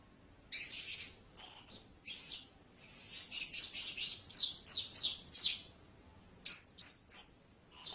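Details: Blue-crowned hanging parrot giving bursts of shrill, very high squeaky chirps, some notes sliding and rapidly repeated, with a short silent gap before three more sharp notes near the end; background otherwise quiet.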